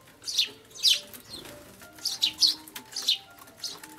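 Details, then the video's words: Sparrows fighting as they fly up, recorded on 5 January 2013; sharp high chirps in quick bursts with loud wing flapping, peaks about every half second, over a faint background hum. "雀が舞い上がって喧嘩 Sparrows fight flying up"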